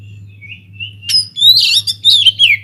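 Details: White-rumped shama singing in an aviary as a lure for other birds: two soft whistled notes, then an outburst of loud scratchy, buzzy chatter and falling whistles, over a low hum.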